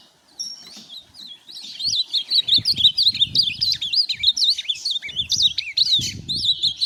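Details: Ultramarine grosbeak, a tournament bird, singing a fast, continuous twittering warble of looping high notes with quick up-and-down slurs. Soft low thumps sound underneath throughout.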